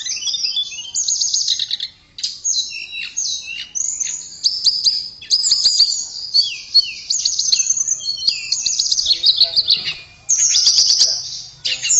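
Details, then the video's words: Melodious high-pitched song of a blue flycatcher (tledekan): long run of rapid twittering, whistled slurs and trills in varied phrases with short gaps, faint clicks in the background. "Kicauan Merdu TLEDEKAN"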